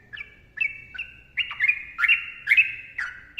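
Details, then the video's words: Yellow-vented bulbul song burst: separate liquid whistled notes, then louder bubbly, warbling phrases roughly every half second, with faint low background hum. "TRUCUKAN GACOR ROPEL PANJANG MBONANG SUARA RAPAT"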